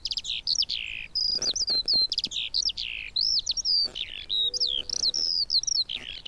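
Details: Eurasian skylark song of high slurred whistles and descending swoops with brief chirps, delivered in quick phrases separated by short gaps, with faint low background noise.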